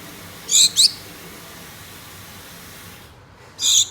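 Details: Two pet Gouldian finches kept indoors, calling to a mate: short high nasal calls, a quick double note early, then a single call after a pause, over a faint steady room hum.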